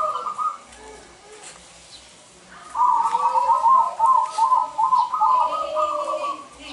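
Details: Lure song of a local zebra dove meant to call males for trapping: after a quiet opening, a loud burst of fast, bubbling trilled coos rolls on for several seconds, then fades back to soft background.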